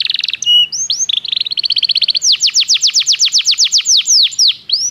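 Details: Belgian canary singing for canary training: brief buzzy and rising notes, then a quickening pulsed trill that turns into a long run of bright, strongly descending whistled sweeps.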